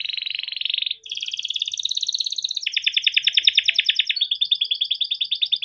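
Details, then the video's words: Yellow canary in long ngerol-style gacor song for tutoring young canaries. One continuous rolled trill after another, each a fast buzzy pulse train, shifting pitch slightly between segments without pause. "burung kenari gacor PANJANG untuk pancingan kenari paud || masteran kenari - yellow canary singing"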